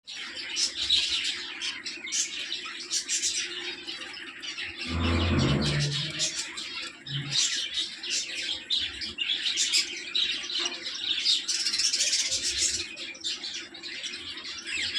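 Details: Budgerigars, with a hen laying eggs, chatter in a steady stream of high, scratchy chirps and warbles.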